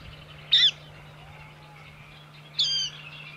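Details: Water rail uttering two brief, sharp, high-pitched calls about two seconds apart, the second slightly longer and ending in a short trailing note, over quiet background with a low hum.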